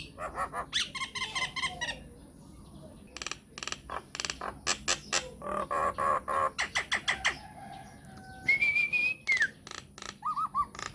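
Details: Lure recording of myna song for prompting other mynas to reply: rapid staccato clicks and rattles, buzzy harsh notes, and a drawn-out whistle bending downward near the end.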